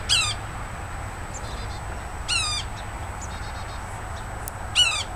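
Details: Yellow-bellied sapsucker lingering at a yard tree in Woodlawn, Tennessee, uttering three short whiny, mewing calls with descending harmonics, separated by about two seconds, a faint steady tone and low hum behind.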